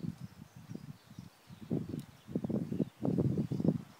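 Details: Black grouse in the eastern Ore Mountains (Krušné Hory) on 2 April 2016 gives low, bubbling, rapidly pulsed phrases in bursts that grow louder after a brief lull, over a faint outdoor background.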